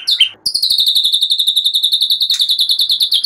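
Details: White-rumped shama singing relaxedly with mimicry of cililin and ciblek (bar-winged prinia), used as a training lure: a brief high note, then a fast, even trill of repeated sharp high chips lasting about three seconds.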